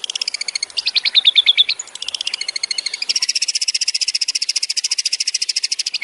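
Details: Long-tailed shrike singing in a training recording: varied harsh harmonic notes and slurred phrases, then a steady rapid rattling series of buzzy notes repeated many times per second for several seconds.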